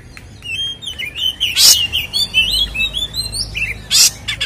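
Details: Kacer, the Oriental magpie-robin, in a fighting-style 'ngeplong tarung' song meant to make other kacer agitated: a continuous chain of wavering whistled notes broken twice by harsh raspy bursts, steady low background hum.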